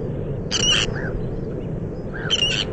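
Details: At a Sandwich tern breeding colony on the bird island Texel, two grating, scratchy calls come about two seconds apart, each trailed by a short downslurred note, with steady windy background noise.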